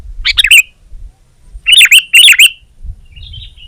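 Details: Sooty-headed bulbul, a songbird in top singing form, giving two bursts of bright, bubbly warbled phrases with short twisting notes, separated by a pause, then a faint thin trailing note.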